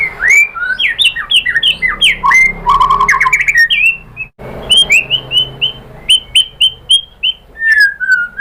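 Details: White-rumped shama song used to provoke other birds into singing: loud, varied whistled phrases with rapid rising and falling notes, buzzy trills and sharp repeated chips in quick succession.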